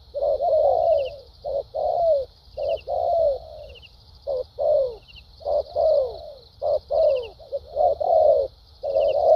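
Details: Spotted dove, a wild-caught fighting bird, delivering a patterned lèo dặm song with thúc gù notes: short mellow cooing syllables grouped in bursts of two to four, gently falling in pitch, over a faint high background hum.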